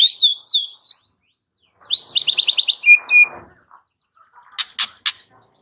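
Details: White-rumped shama master song meant to make a silent bird sing: three falling whistles, a quick burst of about seven repeated notes, two level whistles, then three harsh rasping chacks.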